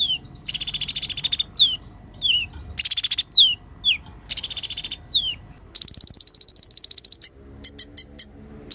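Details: Kolibri ninja sunbird in steady song, high buzzy trilled bursts interleaved with sharp downward-sliding notes, ending in a rapid run of ticking notes and separate clicks.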